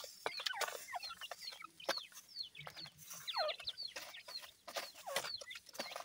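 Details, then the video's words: Seven-day-old grey francolin chicks feeding, apparently hatched under a hen; many thin, high peeps sliding downward overlap in quick, busy bursts, mixed with sharp tapping clicks like pecking. "Voice of Gray Francolin Pheasant bird Chicks"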